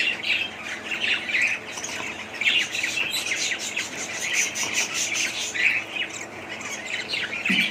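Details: A group of budgies chirps and warbles nonstop, short scratchy notes mixed with clearer whistled squeaks, fairly even in loudness throughout.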